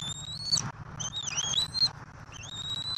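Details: A bald eagle chick calls during feeding at a Southwest Florida nest, both parents carrying turtles, March 2024. Piercing whistled notes that bend and wobble, given almost without pause over faint background hum.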